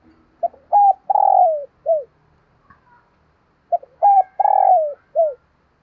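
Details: Morning cooing of a spotted dove kept as a decoy to draw in wild birds: two full phrases of short introductory notes, a drawn-out throaty coo and a final dropping note, about three seconds apart, with faint background clicks.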